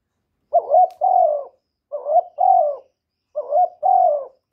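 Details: Young male spotted dove giving loud, urging coos: three paired phrases, a quick warbled first note then a longer falling coo, repeated about every one and a half seconds, no other sounds.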